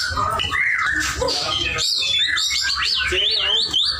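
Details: White-rumped shama singing actively: a rich run of whistled phrases, some sliding up and down and others short and sharp, crowded close together and mostly high-pitched, over a low steady background rumble.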